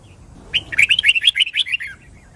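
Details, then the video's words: A red-whiskered bulbul sings a quick, bright phrase of about eight liquid whistled notes, rising and falling, lasting just over a second; the recording is used to train bulbuls to learn song. "Chào Mào Má Trắng Học Giọng Nhanh. Chào Mào Hót / Chào Mào Hót Đấu"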